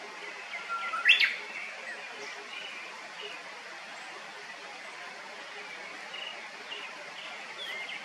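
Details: Japanese bush warbler singing: a short held whistle breaks into a sharp, loud, rising burst near the start, followed by soft scattered chirps against a steady hiss.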